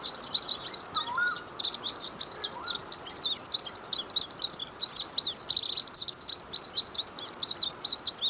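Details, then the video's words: Glaucous-blue grosbeak song: a fast, continuous, high twittering warble of short chirpy notes, running without pause and bunched tightly together, over faint background hiss. "Canto do Azulinho"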